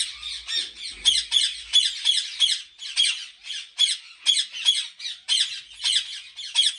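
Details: Captive ringneck parrot at a Pakistani breeding farm giving a long run of short, shrill, grating squawks, about three each second, steady and evenly spaced with no other clear sounds.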